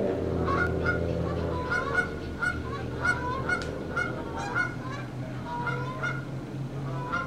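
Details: Canada geese flying over Big Fishweir Creek in late afternoon, 29 September 2015: flock's overlapping nasal, rough two-toned honks about one a second over a steady low rumble.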